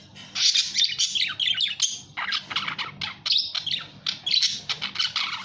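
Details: Budgerigar warbling continuously, a dense run of scratchy chirps, buzzy squawks and quick rising and falling notes, with a faint low hum behind.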